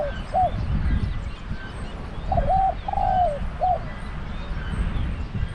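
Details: A spotted dove used as a decoy at a pen trap gives one full mellow phrase: two quick coos, a long coo drooping at the end, and a short final note, with faint low background noise.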